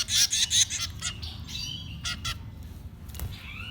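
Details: Baby birds at feeding time: a loud cluster of harsh screechy begging calls opens, followed by scattered shorter rasps and a few thin rising whistles against low background noise.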